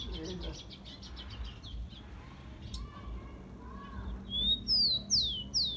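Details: Tico-tico (rufous-collared sparrow) singing to warm up kept birds: a quick series of faint chirps opens, then near the end comes a rising whistle and three loud, clean, descending whistles.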